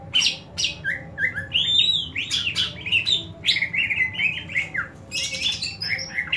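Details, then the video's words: Greater green leafbird giving a fighting call meant to build other leafbirds' fighting spirit: loud, fast chattering run of varied whistled and slurred notes, rising and falling, with brief gaps between bursts. "CUCAK IJO TARUNG INI, COCOK UNTUK MELATIH MENTAL TARUNG CUCAK IJO LAIN"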